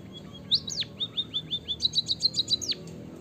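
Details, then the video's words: Munia singing in a lure recording for lazy munias: a high upslurred note, a string of short falling whistles, then a fast run of high repeated chirps ending in one sharp downward slur. "emprit kaji gacor - suara bunyi burung pipit untuk pancingan"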